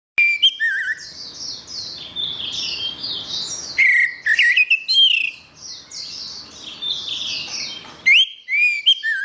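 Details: Orange-headed thrush song: loud, clear whistled phrases near the start, around four seconds and near eight seconds, with a softer, hazier warbling chatter running between them.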